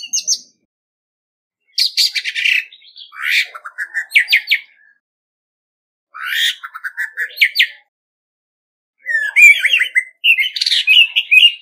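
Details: Orange-headed thrush (Geokichla citrina), a decoy bird in competitive song, sings rich, varied phrases of whistles, trills and scratchy notes in four bursts separated by short pauses, with no other sounds.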